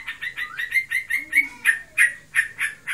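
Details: Sooty-headed bulbul in breeding condition, kept by its owner, delivering ngebren song: loud, clear chirped notes with short rising slurs, repeated about four times a second.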